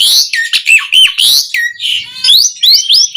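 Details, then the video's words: Asian pied starling song for training caged birds: loud, rapid alternation of harsh raspy bursts and whistled notes sliding downward, with a few upward-swept whistles near the end. "Masteran Jalak Suren Gacor Full Isian JITU Buat Pancingan Kicau Burung Jalak Agar Cepat Bunyi Mewah"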